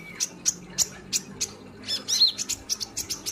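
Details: Kolibri ninja, the olive-backed sunbird, in 'gacor' mode: a rapid run of sharp, clipped high chip notes, several per second, with a brief wavering twitter mid-way.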